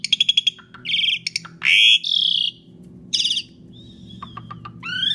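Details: Asian pied starling song, used as a lure for other birds: rapid clicks, loud grating bursts and a thin wavering whistle, ending in a rising note, over a faint low hum.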